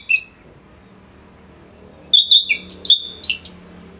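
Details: Caged Orange-headed thrush song used to train other songbirds, from northern Bali, Singaraja: a brief clear note, a pause, then a run of rapid whistled and chirping phrases, loud and close.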